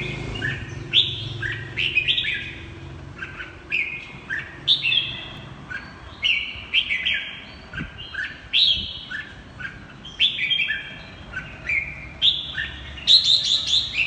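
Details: Ché-style chattering song from a red-whiskered bulbul with fiery double-eyelid marks: a long series of short, bright whistled phrases with quick up-and-down steps, repeated steadily over a faint background hum.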